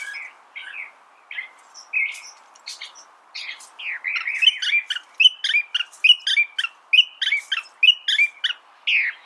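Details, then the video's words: California thrasher: spaced chirps at first, then an accelerating, dense stream of varied sharp and slurred notes, loud and close with little background noise. "California Thrasher Bird Sound"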